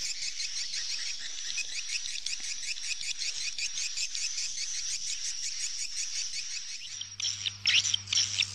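A dense chorus of many swallows gives high, rapid twittering chirps without pause, with a low hum and some rustling noise near the end.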